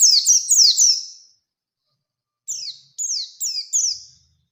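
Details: Oriental white-eye song played to spur a rival reaction; a dense burst of quick downslurred notes, a pause of over a second, then four spaced, clear descending chips.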